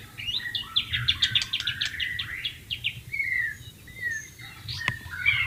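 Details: White-rumped shama in the wild, flowing water in the background, delivering rapid clustered high chirps followed by longer clear whistled notes, over a steady low hiss and rumble.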